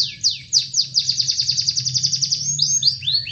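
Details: A canary, in a recording meant to provoke quiet canaries into singing, sings a fast, high trill of sharply falling notes, about eight a second, ending in slower, sweeping whistles over a faint low indoor hum.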